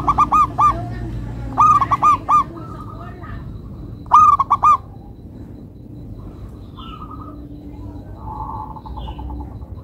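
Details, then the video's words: Local zebra dove (perkutut lokal) songbird with loud stuttering bursts of cooing notes, then softer rolling coos and a few faint high chirps from other birds. "Perkutut Lokal irama merdu, suaranya bikin adem ayem"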